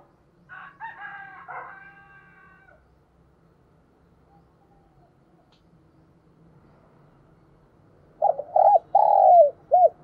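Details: Spotted dove kept as a decoy to entice wild doves. A bright chattering call from another bird comes first, then quiet. A burst of loud coos closes the recording: clipped notes and a longer falling note.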